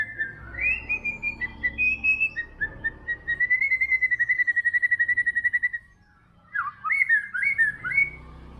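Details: White-rumped shama song: varied whistled phrases, then a long fast trill of even repeated notes for about three seconds, a brief pause, and rich warbled whistles; faint low hum underneath.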